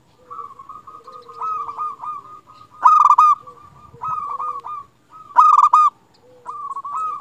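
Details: A local zebra dove sings to prompt silent doves into song: steady cooing phrases with rolling trills, broken by two loud stuttering bursts about three seconds apart.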